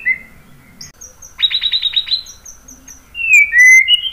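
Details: White-rumped shama singing to prompt other birds to join in: thin high notes, then a rapid run of repeated chattering notes, followed by loud, clear whistles sliding up and down.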